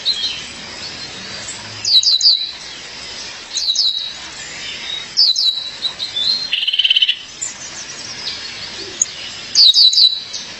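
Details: Female violaceous euphonia calls to her mate with repeated groups of high, clipped, downslurred chips every couple of seconds, broken once by a lower buzzy trill in the middle.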